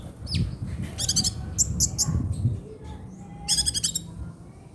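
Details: Kolibri ninja sunbird, trotol style chirping used as a tutor recording for songbirds: bursts of rapid, high, trilled chips in short clusters, one opening with a rising sweep, over a low background rumble.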